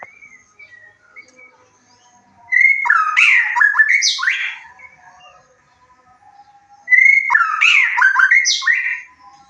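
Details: White-rumped shama singing in a lure meant to stir excitement and breeding urge in a listening bird; two loud, varied phrases of whistles and harsh chatter about four seconds apart, with faint soft notes between.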